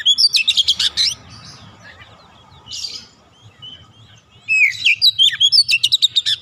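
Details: Oriental magpie-robin (kacer), an untrained 'bahan' bird that readily joins in full 'gacor' singing: a burst of rapid, harsh, high chattering notes, a pause with a brief buzzy note, then another fast repeated chatter burst.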